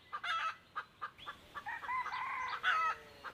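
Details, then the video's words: Wild junglefowl crowing on 1 April 2024, one of two birds drawn in by a decoy hen: sharp clucking notes lead into a long, wavering, harmonic crow, ending with a short clipped note. "dib qaib qus tsi kam tuaj qua 2 tug"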